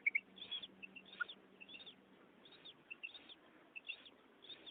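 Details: A female common quail, used as a net-hunting lure call, gives soft, high, clipped notes in pairs and short clusters, repeated about every half second over faint background hiss.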